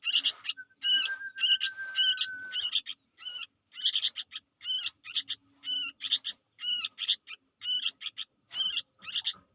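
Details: Young sooty-headed bulbul calling busily: bright, harmonic chirps in quick irregular clusters, with one long thin steady whistle early on and a faint low tone underneath.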